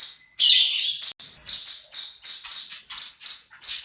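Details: Velvet-fronted nuthatch, a tutor bird for shamas, opening with a harsh high burst then a steady train of shrill chip notes.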